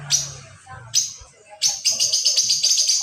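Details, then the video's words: Lovebird ngekek, used as pancingan bait: a brief high scratchy note, a pause, then a fast, steady run of sharp chattering notes at about four per second filling the final second and a half. "pancingan lovebird ngekek"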